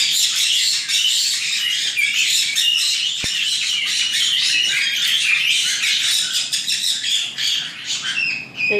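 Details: White-bellied caique babies, nine of them, in a breeder's aviary near Dallas, Texas: dense overlapping squeaky chatter with sharp whistled upslurs, a single click midway, fading slightly in the last seconds.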